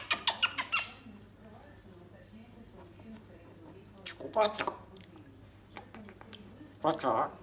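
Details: A female pet talking grey parrot, which has learned to knock a pillow off a cabinet, gives three short bursts of speech-like chatter and raspy squawks, each under a second, with quiet room sounds between them.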